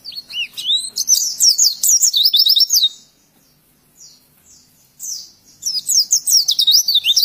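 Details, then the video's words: Oriental white-eye singing a training song meant for other birds to learn: loud, rapid bursts of high, sweet warbling chirps, a brief pause near the middle, then a fresh run of quick twittering notes. "Masteran Pleci Pemula Auto Nyautt"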